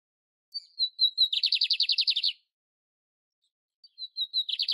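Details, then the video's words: Lined seedeater in nature delivering two song phrases about three seconds apart, each beginning with thin high whistles and running into a fast, dry buzzy trill; quiet, clean background. "BIGODINHO PARDO CANTANDO NA NATUREZA"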